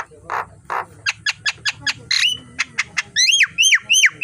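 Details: Javan myna morning tutor song for training birds: two low harsh rasps, then a quick run of sharp clicking notes, a squealing burst, more clicks, and finally a loud series of five descending, slightly screechy whistles about every third of a second.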